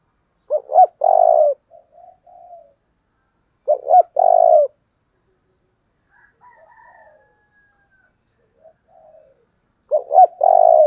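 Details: Spotted dove kept as a decoy to provoke wild birds repeats its deep coo three times, each phrase a clipped two-note start and a held low note, with quiet murmuring coos between phrases.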